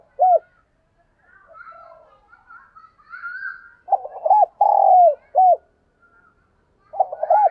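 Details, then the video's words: Spotted dove used as a decoy, calling wild doves: a single short coo, then a quieter stretch with faint background sounds, followed by a full phrase of low hooked coos and one long falling note. "Tiếng Chim Cu Mồi Thúc Và Gáy Gọi Bổi"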